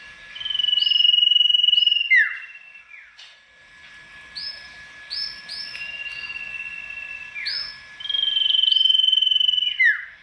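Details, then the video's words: Mangrove whistler (sirtu), a tame bird, singing loudly as if seeking a rival: long level whistled notes ending in sharp downward slurs, fainter whistles between, another bird in background. "burung sirtu gacor dor,suara lantang mencari lawan,dijamin sirtu apapun langsung nyaut"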